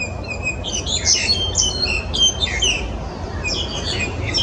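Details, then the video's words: Black-collared starlings (Sturnus nigricollis) in Yuen Long, Hong Kong, 14 January 2018, give a run of harsh, squeaky chatters and whistled notes in quick bursts over a low rumble of background noise. "Black collared Starlings Sturnus nigricollis黑领椋鸟"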